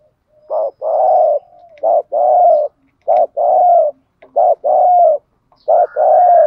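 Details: Spotted dove cooing in a repeated lure series, made to draw wild doves: mellow low coos in pairs, a short note then a longer drawn-out one, repeated about every second and a half with clean silence between.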